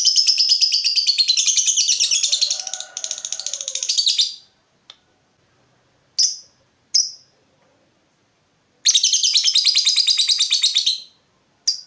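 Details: Lovebird in lively 'gacor' form, used as a lure to make other lovebirds answer with 'ngekek'. A long, fast, buzzy high chatter runs about four seconds, pauses with a few sharp chirps, then a second rapid chattering burst.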